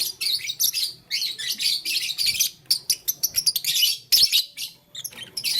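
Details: Harsh, rasping chirps from blue, lutino and green lovebirds playing with a flower come in quick choppy bursts and a fast stuttering sequence, then one more loud burst.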